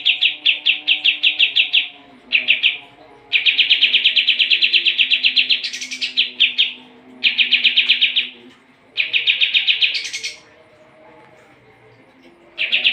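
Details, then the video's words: Sooty-headed bulbul singing busily, meant to train competition songbirds: repeated phrases of rapid, buzzy chattering pulses, some ending in a high upward flourish, broken by brief silences. "kapas tembak gacor masteran burung juara"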